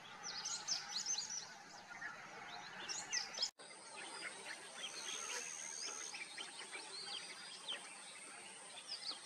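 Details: Common myna (Indian myna) song: dense chattering and quick whistled chirps, many overlapping and repeated several times a second, briefly broken by a sudden cut, then continuing with a thin steady high tone in the background.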